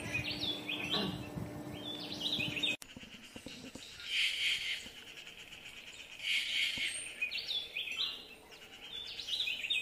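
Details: Yucatan jay (Cyanocorax yucatanicus), call.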